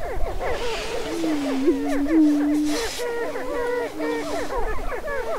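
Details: Greater prairie-chickens on a lek near Crookston, northwest Minnesota, April 27, 2013, during the spring mating dance: a steady low hollow moan runs under a crowd of overlapping cackles and whoops, rising and falling.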